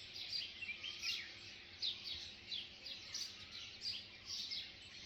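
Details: Birds chirping at sunrise on a slow morning in Kodaikanal, India, near a resort: a busy, overlapping chorus of high, thin chirps and short twittering notes, several birds calling at once with no long pauses.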